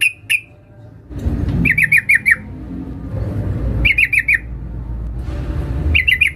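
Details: Female sooty-headed bulbul calling for a male: short groups of four to five quick, sharp chirps repeated every two seconds or so, with a couple of single notes at the start and a low rumble beneath.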